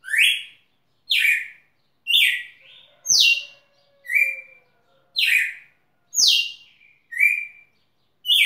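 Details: Red-cowled cardinal singing at Rio Grosso, repeating clear whistled phrases about once a second, nine in all, alternating high downslurred notes and lower even ones; a faint low hum sounds briefly midway.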